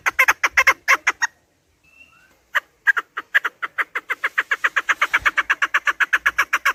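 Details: Chukar partridge clucking from a hunting recording: a few harsh notes, a short silence, then a steady accelerating series of rasping chuk calls.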